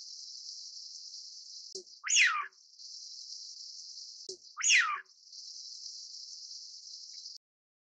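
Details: Eurasian wigeon whistling twice, roughly every two and a half seconds, each call rising abruptly then gliding down, over steady high-frequency hiss with soft low notes before each whistle.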